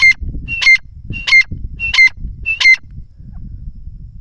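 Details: Francolin (teetar) near plants: five loud, grating phrases, each a short whistle followed by a harsh ringing burst, repeated roughly every 0.65 seconds, then low rustling.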